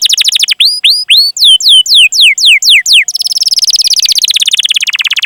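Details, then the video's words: Canary giving long chirping calls meant to prompt other canaries to sing: loud series of clear downslurred whistled chirps, about two per second, then a rapid rolling trill of fast repeated notes. "Masteran Suara Burung Kenari Gacor Panjang cuit cuit Ngerol untuk Pancingan Kenari!"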